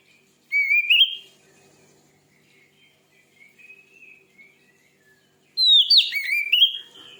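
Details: Oriental magpie-robin, billed as a fierce singer that stirs up other magpie-robins, giving two loud bursts of rising, twisting whistles separated by soft, scattered notes.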